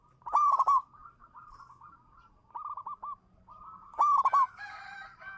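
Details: Zebra dove of a local strain cooing as a lure: loud trilled coo phrases, each trailing into gentle rolling notes, two strong bursts about three and a half seconds apart with a quieter phrase between.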